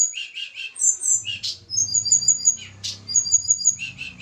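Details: Javan tledekan gunung recorded during a pairing attempt, described as a small bird with a melodious voice; high, thin chirps and trilled notes in quick clustered bursts, with a faint low hum underneath.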